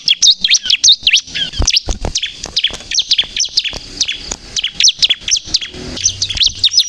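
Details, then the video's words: Bar-winged prinia (ciblek kristal), energetic singing meant to lure and provoke other birds: dense, high-pitched chattering of quick swooping chirps, running continuously with slight variations in rhythm. "suara burung ciblek kristal gacor untuk pikat dan pancingan ciblek bahan agar bunyi emosi"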